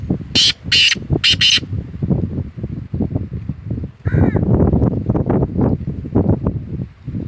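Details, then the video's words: Black francolin calling: three harsh, loud, broadband rasping notes in quick succession near the start, then a softer tonal note later, over a heavy, constant low rumble of wind or handling noise. "kala teetar ki awaz"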